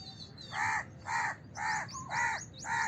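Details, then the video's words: Five rasping caws from a house crow, evenly spaced about half a second apart, with thin high chirps of small birds in the background. "House Crow Sound! House Crow Sound Effect! House Crow Call!"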